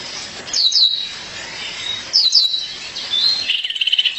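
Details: Female violaceous euphonia calling her mate: paired high down-slurred chirps repeated twice, ending in a dry buzzy rattle of quick pulses.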